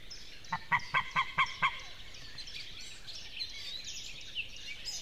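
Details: A pair of white-tailed eagles in Estonia sing together, one bird nearby the other. About six sharp, clipped yelping notes come at roughly four per second, then stop, while small songbirds twitter steadily in the background.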